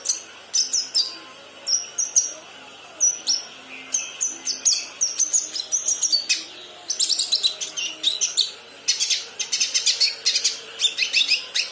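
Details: Young kinoi rehearsing song: sharp high chirps at first spaced out, then packed into dense rapid chattering bursts toward the end, with faint background hum.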